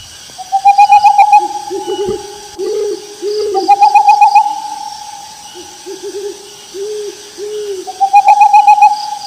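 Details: Owl calling in rice fields: long sustained whistles overlapping with groups of three to four low rounded hoots, repeated in bouts, with faint insects ticking in the background.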